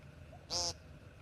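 An American woodcock gives one short, nasal, buzzy peent lasting about a quarter second. A faint low background hum is also heard.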